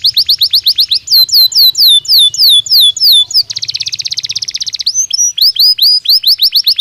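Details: Belgian canary singing naturally for daily training stimulus: rapid high trill, then loud downward-swept whistled notes, a dense buzzy rolling trill midway, and a return to quick swept notes; clear and loud throughout.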